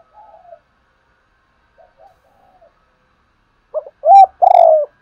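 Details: Lure spotted dove used to prompt newly trapped doves to coo quickly: faint distant coos at first, then a loud close phrase of short notes and a long burry coo at the end.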